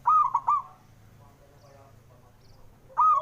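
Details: Male zebra dove calling to spur lazy birds to sing: a quick three-note coo phrase, a quiet pause, then the start of the next phrase.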